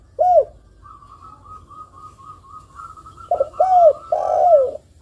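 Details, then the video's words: Spotted dove, a vocally active bird whose calls are meant to rouse other spotted doves into calling. Low hoarse coos, one at the start, then three linked notes after a pause, each bending down at its end. A steady, thinner, higher-pitched note series runs between them. "TEKUKUR GACOR ini paling ampuh mendongkrak emosi bunyi dan untuk pancingan tekukur agar bunyi"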